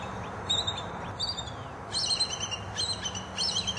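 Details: Bald eagles of a nesting pair in the Florida Everglades, recorded by cameras at the nest and at a tree used for mating from November to January; short bursts of high, thin chittering notes, some in quick series, over low steady background hum.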